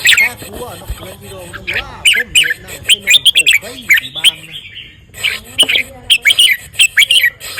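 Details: A caged red-whiskered bulbul, praised as a strong singer, gives bright, bubbly whistled phrases in quick bursts over background music with a singing voice.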